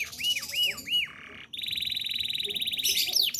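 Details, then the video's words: Canary, a domestic bird singing hard in 'ngerol nembak' fashion as a training master: three looping arched whistles, a short pause, then a long even rattling roll, ending in sharp high notes. "Kenari gacor ngerol nembak mantap."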